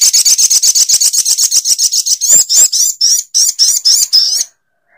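A sogok ontong gives a fast run of thin, very high notes, about four a second, then slows into sharper, wavering chips before stopping.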